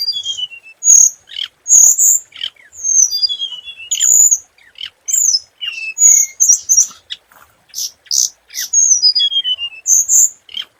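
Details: Scarlet minivet decoy singing: a lively stream of high bright chirps and quick descending whistle slurs, repeated in bursts of about a second with short gaps.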